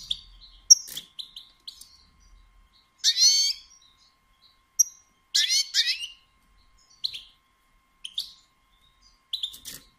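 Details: Caged European goldfinch, female calls to stir males to sing: scattered high chirps with a few longer buzzy, twangy notes, separated by silent gaps.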